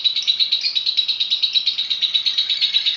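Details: Lovebird singing persistently with full, varied phrases: a dense, high-pitched chattering trill pulsing rapidly and evenly, about three beats per second, without pause.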